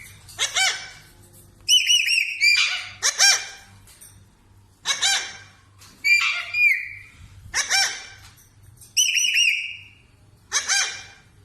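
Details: Parrot calling naturally: loud raspy squawks paired with warbling whistled notes, roughly one burst every one to two seconds.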